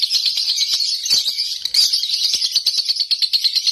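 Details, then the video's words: High, scratchy, fast chattering from a home-kept lovebird in konslet style, with a brief louder burst midway, then evenly pulsed notes. "Lovebird konslet"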